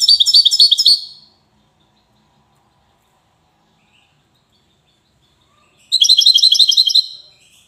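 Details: From Safi, a European goldfinch sings in the Widani style: two bursts of fast, tinkling high-pitched twitter, each about a second long, separated by several seconds of silence.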